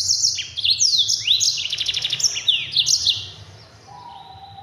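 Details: Yellow-fronted canary (Mozambique) singing a fast, dense training song for other birds: rapid high twittering trills and sweeping chirps packed closely together, then fading into a quiet low hum.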